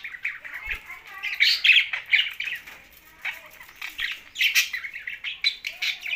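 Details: Budgerigars sharing space with a parrot produce lively warbling chatter mixed with harsher squawks, rising in loud bursts and dipping briefly before resuming.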